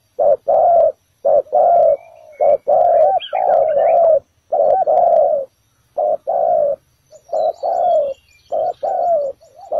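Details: Spotted dove used as a trap lure on the ground, full bổi thổ calling: rapid run of loud, low paired coos, short notes alternating with longer falling ones, faint high chirping behind.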